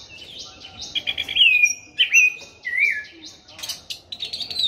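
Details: Orange-headed thrush singing hard and long, a caged bird: varied whistled and warbled phrases at high pitch, with sliding notes and short bursts in quick succession, some low rustling beneath.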